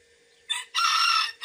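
A bantam rooster crows shrill and high: a short note, then a long, harsh, drawn-out one, with the next crow just starting. A steady electrical hum runs underneath.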